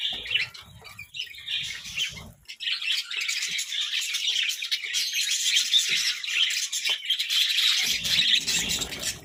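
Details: Several budgerigars chirping while feeding on vegetables: dense, continuous high warbling chatter with rapid overlapping chirps, quieter at first and swelling into a steady flock babble, with faint low bumps of handling or munching.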